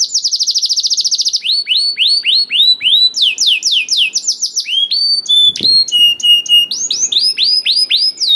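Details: Energetic canary song used to get canaries that rarely sing to start singing: it opens with a fast rattling trill, then moves into series of arched whistles and varied chirped phrases, with one soft click midway.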